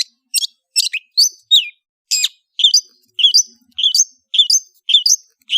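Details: Kicau ocehan song of the long-tailed shrike (cendet): separate shrill chirps and short twisted whistles, some falling in pitch, spaced irregularly about every half second against silence.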